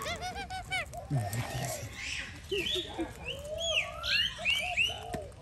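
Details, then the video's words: Alexandrine parakeet during feeding, making a run of rapid harsh squawks followed by scattered nasal, downslurred calls, with human voices in the background. "parrot sound parrot talking alexander parrot sound parrot food feed"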